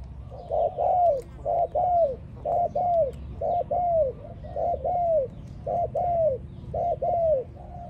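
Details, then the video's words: Rhythmic song of a spotted dove, crisp arched coos grouped in pairs and repeated about every second with clean silent gaps, close and dominant over faint low hum. "Training Spotted Dove, Sound spotted dove training singing so love."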